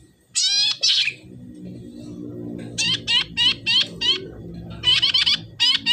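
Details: Red-headed tit singing steadily, played to coax quiet birds of the same kind into replying: quick series of high, sharp repeated notes in short runs, over a faint low background murmur.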